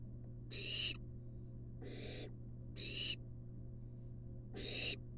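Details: Wild barn owl nestling in a monitored nest box, receiving a long-tailed rat from its mother: harsh, hissing screeches, three broad noisy bursts about a second apart, with a steady low electrical hum underneath.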